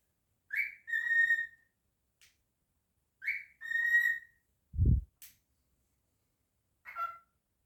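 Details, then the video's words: Singing male cockatiel kept as a pet indoors: two matching phrases of rising swoop plus sustained whistle, a dull low thump near the end, then a final short whistled note. "Cockatiel singing, whistling and saying his name"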